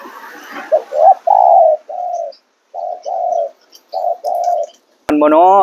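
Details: Spotted dove singing: a series of short, low, hooting coos in uneven groups with brief pauses, then a sudden loud, rising harmonic sound at the end.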